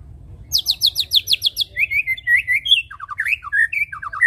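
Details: White-rumped shama song used as a lure to make birds sing: a fast series of sharp high descending notes, then varied whistled phrases and quick trills, loud and clear over a low hum.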